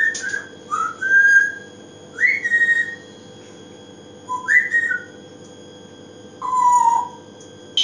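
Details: African grey parrot kept as a pet, recorded indoors: clear whistled notes, some rising sharply, others steady or dropping, about four phrases spaced with short silences over a low household hum.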